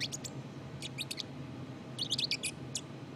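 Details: Subsong of a black-capped chickadee, with three bursts of rapid, high, slightly buzzy twitters separated by short pauses. A faint low hum runs beneath.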